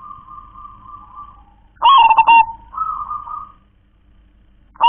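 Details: Local wild zebra dove in the 'kong klar-ke-tek-kong' style: a soft level coo, then a loud stuttering phrase of rapid clicks and rolling coo, more soft cooing, and the start of another phrase.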